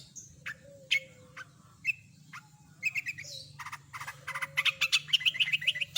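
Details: Long-tailed shrike in full voice, singing a song filled with mimicry of other birds: scattered sharp chirps and whistled notes build into a dense run of quick, bright, twittering phrases toward the end, over a steady low hum.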